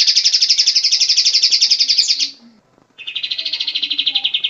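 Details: An Olive-winged Bulbul sings two long, high, buzzy trills of rapidly repeated notes, about four per second, separated by a brief pause.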